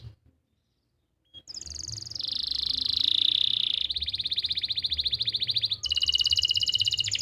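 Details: Canary master song, played to coax a canary that has stopped singing and to help young canaries develop their voice, recorded in Pati, Central Java: silence, then a high whistle leading into long, rapid rolling trills that shift to a buzzier pulsed trill.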